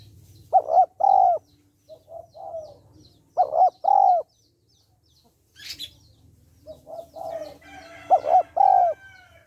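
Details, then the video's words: Female spotted dove calling to stimulate males: loud, low mellow coos in phrases of soft lead-in notes then two strong paired hoots, repeated about every three seconds, with faint chirps from other birds and a brief rustle. "Cu gáy mái kích trống/ tiếng cu gáy mái kích trống hay"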